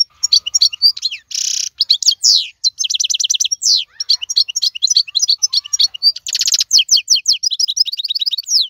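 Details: A wild goldfinch from the 2022 season delivers a dense, lively song of tinkling repeated chips, harsh buzzy trills and sweeping slurred notes, nearly continuous with only short gaps.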